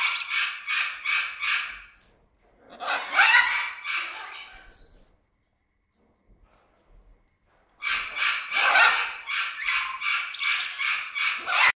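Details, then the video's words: A pet orange-winged (Venezuelan) amazon about 10 metres from the recorder gives contented, cosy whistling chatter: quick, buzzy, rippling notes about three a second, in three runs with short pauses between. "Venezuela Amazon hyggefløjter"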